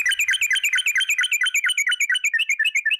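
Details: Yellow-vented bulbul lure recording: a fast, even string of bright chirped notes, roughly seven a second, each dipping sharply down and back up, with no other sounds.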